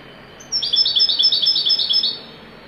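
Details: European goldfinch singing in the wedani style: a rapid twittering phrase of about one and a half seconds, made of quick alternating high notes repeated in bouncy succession against a quiet background.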